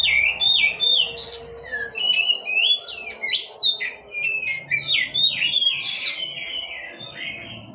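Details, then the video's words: Oriental magpie-robin singing energetically: a fast, varied stream of clear whistled notes, slurs and chirps, many sliding up or down, repeated in quick phrases with a faint steady tone behind them. "Kacer gacor ngobra"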